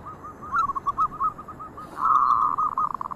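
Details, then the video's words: Zebra dove, local variety, in active song with other doves answering: a sequence of small rounded coo notes, then a louder continuous buzzy blur of sound, then quick choppy notes at the end. "Perkutut Lokal Gacor ,,sekali bunyi yang lain ikut"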